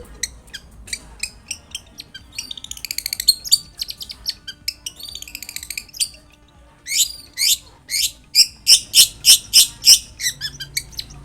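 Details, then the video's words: Long-tailed shrike singing to prompt another shrike to answer: varied harsh chirps and rapid scratchy bursts, then a run of loud evenly spaced broadband notes near the end; faint background hum. "SUARA cendet gacor INI AMPUH untuk pancingan agar cendet bunyi JADIKAN burung cendet NYAUT SEKETIKA."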